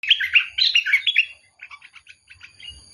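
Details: Bulbul singing a quick run of bright, bubbling, warbled notes for about one and a half seconds, then softer scattered short chirps trailing off.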